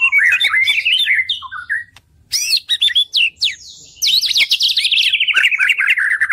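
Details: A white-rumped shama, used as a master recording for training songbirds, pours out loud, varied song with rapid chattering phrases, sliding whistles and a long fast trill toward the end.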